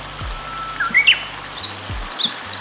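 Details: A Meadow Bunting in northern Harima, Hyogo, Japan, around 8 August, gives a quick run of thin, high, slurred notes that step upward in pitch. A steady high cicada drone and faint low thumps underneath.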